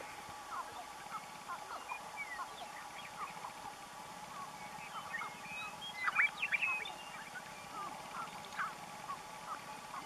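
Sharp-tailed grouse at a lek: a busy chorus of short clucks, cackles and squeaky chirps from several birds, loudest midway, over a steady low hum.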